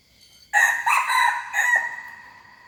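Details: Young hybrid junglefowl rooster crowing once, a loud harsh crow of about one and a quarter seconds with a brief rise mid-phrase and a falling close.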